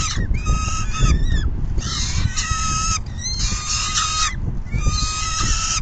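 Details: Peregrine falcons at a nest during a feeding on a June 2022 afternoon. Four loud, drawn-out, nasal wailing bouts, each about a second long and separated by short pauses, over a low, rumbling wind background.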